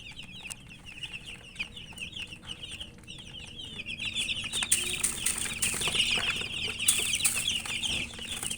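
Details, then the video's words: Several chicks chirp as they feed, a continuous stream of bright, quick peeps that grows louder and busier halfway through, with sharp pecking taps and a steady low hum underneath. "Murgi chicks Chirping sounds and eating"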